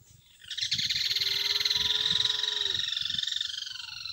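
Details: Lined seedeater singing a long, loud, buzzy trill of rapid pulses. It holds steady for about three seconds, then breaks into looser pulsed notes. Faint low thumps sound in the background.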